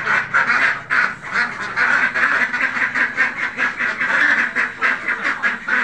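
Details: Farmed Khaki Campbell ducks quack almost nonstop, a flock of harsh, nasal quacks overlapping in rapid bursts several times a second.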